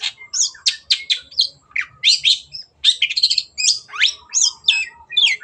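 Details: Gacor song of a long-tailed shrike (cendet), used as a training recording: fast chattering phrases of high chirps, scratchy notes and short rising whistles, almost without pause.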